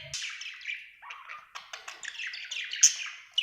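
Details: Happy pet budgerigar chirping, a quick string of scratchy squeaks and warbled tweets with a sharp high peep near the end.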